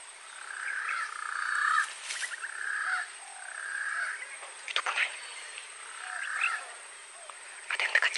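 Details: Green pigeon (punai) at a hunting spot: mellow, warbling whistled phrases about a second long, given four times with short pauses, with sharp clicks and knocks in between.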